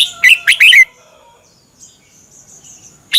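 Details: Red-whiskered bulbul, a Thai cage bird, singing a fast burst of four lively warbled notes to start, then near silence with faint high whistles, and a sharp note at the very end; used for training or exciting caged birds.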